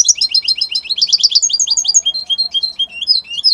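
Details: Italian European goldfinch in full song: fast runs of sharp, high tinkling notes that blend into slurred twitters and short buzzy phrases, delivered without break in a clean, quiet setting.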